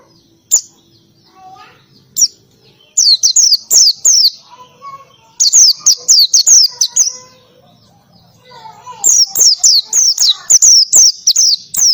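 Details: Busy ngalas-style oriental white-eye song with canary-like bursts. Scattered single notes lead into fast volleys of high, falling whistles, with faint lower chirps between the phrases.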